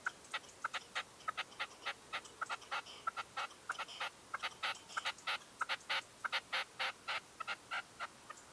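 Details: Red-legged partridge decoy bird calling at dawn during a hunting stand in 2023: a long run of short, sharp clucking notes, roughly one and a half per second, some louder and harsher, over a quiet background.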